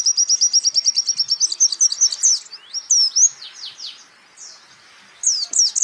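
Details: High, rapid trill of evenly spaced notes from a champion white-eye used to train other songbirds. The trill breaks into swooping, slurred chirps, falls quiet for a second, then resumes with bright twittering notes.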